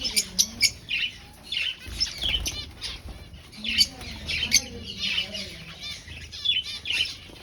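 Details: A breeding finch colony in an aviary, birds seeking a nest, produces repeated bright chirps and squeaky notes in clusters, with soft low rustling between bursts.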